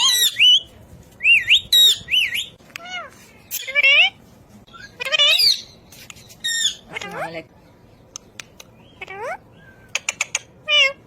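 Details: Ring-necked parakeet chattering loudly in quick mimicked syllables, with repeated looping whistled notes, downward-curving harmonic calls and a few sharp clicks, then quieter spaced sounds.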